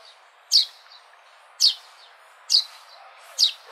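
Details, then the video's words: A sparrow gives four short, bright chirps, roughly one per second, with a faint background hiss between them. "Sparrow sound"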